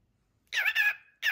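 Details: Male pet bird kept as a guard bird, giving intimidating barks to warn off intruders: two harsh, rasping, mid-pitched bursts close together, then a third after a short pause, in a quiet indoor setting.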